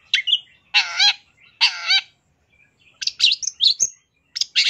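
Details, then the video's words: Long-tailed shrike in a rich 'masteran' song filled with varied phrases: harsh buzzy bursts, then squeaky whistled notes rising and falling, delivered in separate clusters with short silences between them. "Kicau Suara Cendet No #1❗Masteran Cendet FULL Isian"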